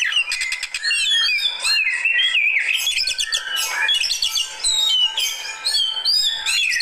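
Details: Fighter-type Oriental magpie-robin answering another bird with a rich song of clear whistled notes, upward and downward slides and rapid stuttering trills, delivered nonstop.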